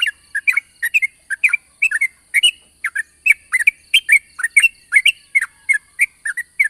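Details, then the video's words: Yellow-vented bulbul singing a long rapid ropel in the morning, used as a lure: bubbly, chirping notes delivered in quick, steady bursts of two or three, roughly three per second, over a faint constant high hiss. "pancingan burung trucukan ropel panjang di pagi hari bagus untuk memancing trucuk bahan agar bunyi"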